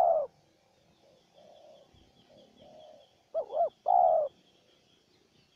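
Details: Spotted dove answering a decoy: soft faint coos first, then a loud wavering double note and a long steady coo, with a thin high buzz of insects in the background.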